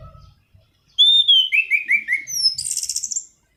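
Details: Black-throated laughingthrush, song used for training birds as lure or tutor: a long clear whistle sliding into four quick downslurred notes, a sharp upward note, then a dense buzzy trill before silence.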